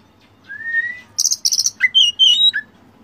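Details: Oriental magpie-robin (kacer) tutor phrase: a soft rising whistle, then two rapid buzzy trills and a twisting run of bright warbled notes ending in a falling slur; quiet background hum.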